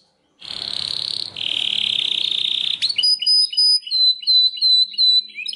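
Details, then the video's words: Belgian canary singing: a long buzzy trill held near one pitch for over two seconds, then a sharp break into a run of short upward-sweeping whistled notes at a steady pace. "O canto canário mais espetacular #85 - OUÇA ISSO e seu CANÁRIO BELGA VAI CANTAR MUITO!"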